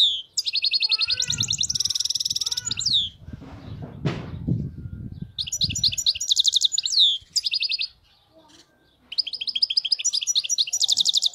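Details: Wild-caught European goldfinch in flawless song: bright, high twittering trills and rapid buzzy repeated notes in long bursts, broken by a stretch of low rustling or handling noise and a short pause before the singing resumes.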